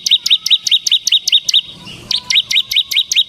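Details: Bar-winged prinia (ciblek), a semi gacor bird in full song, used to stimulate and tutor ciblek kristal: rapid series of sharp, high, downslurred chirps about seven per second, with one brief pause mid-phrase.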